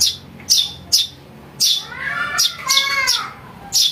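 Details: Eurasian tree sparrow chick, calling as lure audio for trapping birds. High sharp chirps are broken midway by a drawn-out, wavering, harmonic-rich call, then the chirping resumes.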